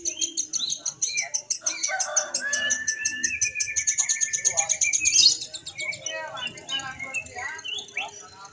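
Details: Lovebird singing at a Mahadewa practice contest, single-fighter class. A long, rapid, high, buzzy chirp trill builds to a loud peak, then breaks into scattered whistled and rattling notes from nearby birds.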